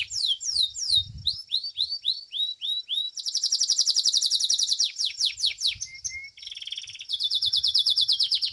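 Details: Belgian domestic canary in a song contest: a string of downward-hooked whistled notes, then a long intense high trill, quick falling slurs, a short low whistle and a final pulsed trill.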